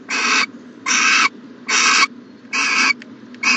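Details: Owl at its nest box on a January 2020 morning, giving five coarse hissing bursts, each under half a second, evenly spaced, with two faint clicks late on.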